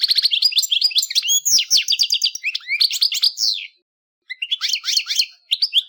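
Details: European goldfinch song: fast, bright twittering with tinkling trills and buzzy notes, broken by a brief silence, then resuming.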